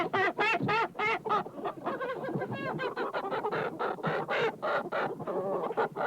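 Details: Flock of chickens in a hen house: rapid, dense clucking with several birds calling over one another, some higher rising squawks among the low clucks.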